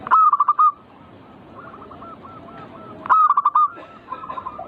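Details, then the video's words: Zebra dove song used to spur other birds into eager singing: a loud burst of five or six quick rolling coos, then softer distant dove phrases, then another loud burst. "Pancing Emosi burung perkutut bikin cepat Gacor rajin bunyi manggung"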